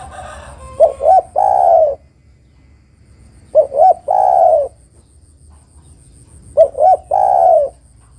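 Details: A female spotted dove calls to the male three times at about three-second intervals. Each phrase has two quick coos leading into a long, gently falling purring note.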